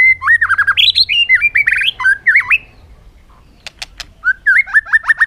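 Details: Bird producing rapid, jerky, wavering whistled phrases and squawks, a brief quiet pause broken by a few sharp clicks, then more quick undulating whistles.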